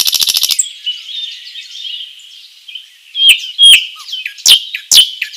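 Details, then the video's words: Common nightingale singing in a forest: a rapid burst of repeated notes, a thin sustained warble, then loud, sharp whistles and clicks in quick succession. "Nightingale singing"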